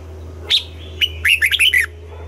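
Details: Red-whiskered bulbul in morning voice training for double-note, old wild-bird style song: one sharp note, then a fluid phrase of about five warbled, up-and-down notes, over a low hum.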